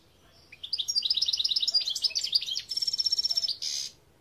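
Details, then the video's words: European goldfinch song: a rapid run of bright, twittering high notes, then a buzzy trilled phrase and a short harsh burst at the end, lasting about three seconds. "Chant Chardonneret"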